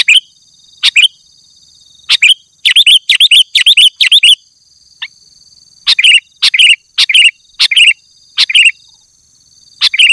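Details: Vigorous sooty-headed bulbul song aimed at calling wild bulbuls: clusters of sharp, descending slurred notes, a short rapid series, then evenly spaced single phrases over a constant high hum.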